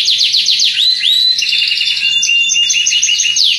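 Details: Canary song meant to coax reluctant canaries into singing; a dense, loud warbling blend of rapid trills and drawn-out whistles, seemingly several birds overlapping, with faint low rumble underneath.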